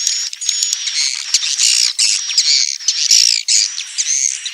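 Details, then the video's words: Swiftlets squawk and twitter in a dense, scratchy, high chorus laced with brief thin whistled notes. "SUARA BURUNG WALET"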